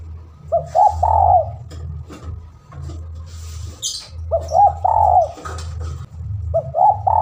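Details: Spotted dove calling a rival, used as a lure: three phrases of soft, arched, repeated coos spaced a few seconds apart, over a continuous low hum with faint high-pitched chirps.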